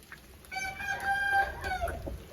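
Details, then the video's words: Aseel rooster recorded after rain, giving one drawn-out harmonic crow of about 1.5 seconds that holds steady, then tails off with a falling end, over low rumbling background noise. "Aseel Bird Sound Effect"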